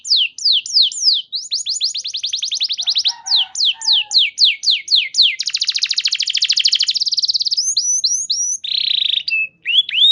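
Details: Canary song used to get other canaries singing: varied phrases of repeated down-slurred notes, a very dense buzzing trill, a harsh buzzy note and short whistles, all loud and high-pitched.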